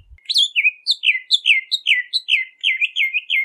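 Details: Bahama mockingbird singing a run of downslurred whistles, each sliding from high to lower pitch, repeated roughly three times a second in a steady sequence.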